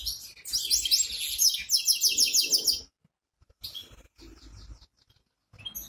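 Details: Goldfinch hybrid from Ankara gives a burst of rapid, high twittering and trilled notes for about three seconds, then falls quiet apart from a few soft, scattered chirps.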